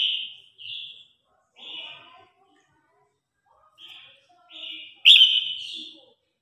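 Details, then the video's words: Red-whiskered bulbul singing in competition and calling to its flock: a series of short, clear whistled notes in the high register, separated by brief pauses, ending in a sharper, louder whistle. "Tiếng Chim Chào Hót Đấu /Tiếng Hót Gọi Bầy Đàn"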